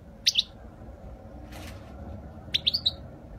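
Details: European goldfinch, presented for flawless Spanish-style singing, 2020: a brief pair of high, sharp chirps, a pause with a soft rustle, then a quick run of four twittering notes.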